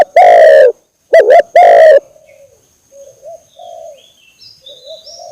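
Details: Lure call of a spotted dove calling persistently: three loud, harsh, overdriven coo notes with the middle one doubled, followed by quieter distant coos and faint thin whistles of other birds in the background.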